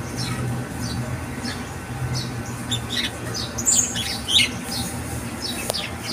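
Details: Birds singing in the morning, the kind of song that wakes a sleeper. High, short chirps and squawks are scattered irregularly through the clip over a steady low hum.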